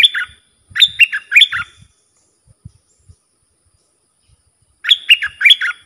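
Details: Bulbul song in the ดอกแตง style, played to train young birds and lure wild birds. Two bursts of quick, chattering whistled notes that rise and fall, about a second each, separated by a long silence. Faint low thumps in between.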